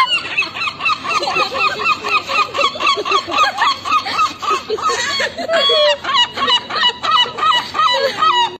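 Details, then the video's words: Gulls at the beach: a loud chorus of harsh, ringing calls rich in harmonics, overlapping and repeated rapidly at about three to four per second throughout, several birds calling at once. "seagull voice, seagull at beach"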